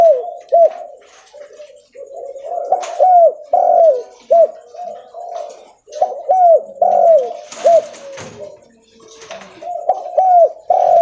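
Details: Derkuku leopard, the spotted dove, cooing loudly and continuously while walking: soft, hollow coos grouped in short phrases that repeat every few seconds, with brief clatters and rustles underneath.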